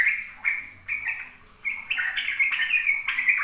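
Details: Sooty-headed bulbul giving ropel-style song to coax young birds: a few separated whistled notes at first, then a fast, bright, unbroken run of slurred phrases in the second half.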